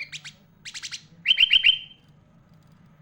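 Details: Sooty-headed bulbul, a master singer for tutoring young and adult birds, song full of borrowed phrases: two quick chirp groups, then a loud run of four fast notes trailing off, then near silence.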